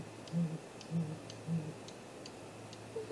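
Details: Great grey owl visiting its nest at 7:15 am on 2 April, with vocals from the nest tree: three very deep, soft hoots about half a second apart, with faint, regular high ticking clicks behind.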